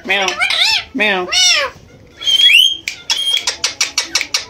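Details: Pet Indian green ringneck parakeet indoors, mimicking cat meows and speech: three arched, wailing meow-like calls, a sharp rising whistle, then a rapid run of clipped, evenly spaced chatter notes.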